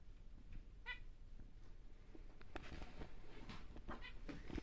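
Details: A large normal grey male zebra finch gives brief nasal, harmonic notes mixed with clicks and scratchy buzzes over a low steady hum.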